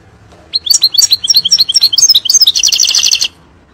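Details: European goldfinch song for training young birds: nearly three seconds of fast, varied twittering notes rising into a dense buzzy trill at the end.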